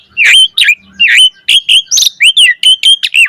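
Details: Asian pied starling singing in the varied 'full isian' style meant to stimulate other starlings to sing: loud, slurred whistled notes repeated about every third of a second, some rising, some dropping, all clear and high.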